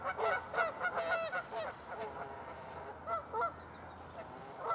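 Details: Canada geese calling on Lacamas Lake, Washington, USA, on a February 2012 morning: a loud run of rapid honks, then softer scattered honks from several birds further off.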